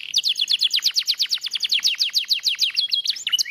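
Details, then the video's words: Lemon yellow canary in full song, delivering a rapid, steady series of sharp downward-sweeping chirps, roughly two per second, ending with a few upward whistled slurs; clear and close with no other sounds. "Kenari Kuning Lemon gacor"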